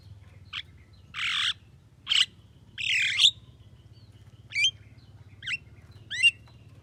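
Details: Javan myna, described as lively and able to talk, mixes four harsh, broad squawks with three sharp, rising whistled notes, a varied sequence spread over nearly seven seconds above a low hum.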